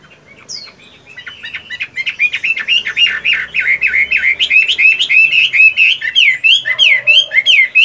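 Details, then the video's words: Chinese hwamei, a caged fighting bird in moult, practising song in the morning: after a quiet start, a sustained, loud, rapid outpouring of varied warbled and whistled notes, about four per second. "Chiến tam hoàng, luyện công buổi sáng!"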